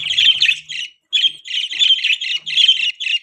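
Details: Budgerigar giving loud, scratchy high chirps in near-continuous chattering phrases, broken by one brief silence, with a faint low rustle at the start.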